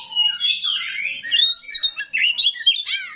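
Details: Small 'rawit' oriental magpie-robin singing its coarse fill-in material to provoke other magpie-robins into replying; rich jumbled warbling with gliding whistles and scratchy notes, ending in a burst of sharp rising chips.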